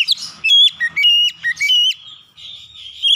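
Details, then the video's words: A home-raised Oriental magpie-robin, used to prompt reluctant birds to sing, gives loud, clear whistled phrases with sliding, slurred notes in quick succession, then trails off into a quieter, fainter warble. "Kacer rumahan susah bunyi langsung gacor"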